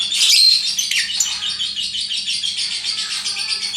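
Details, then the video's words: Lovebird chattering in a continuous, dense stream of high, rasping twitters with no breaks, keeping a steady, busy texture throughout. "Bagaimana cara agar Love Bird mau Ngekek"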